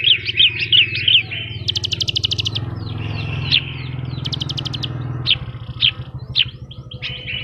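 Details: Horsfield's bush lark singing hard in gacor style with isian phrases: twittering notes alternating with fast high rattles and buzzy tones and sharp chips, over a continuous low mechanical rumble.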